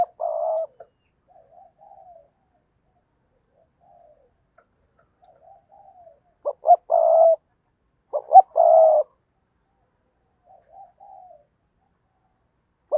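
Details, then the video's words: Decoy spotted dove used to lure wild doves, giving the urging coo: low, hollow coo phrases in bursts, soft quieter notes between louder clipped double and drawn-out coos, with long silent gaps. "cu gáy kích bổi nhanh nổi/ cu gáy mồi cây thúc gù bài bản"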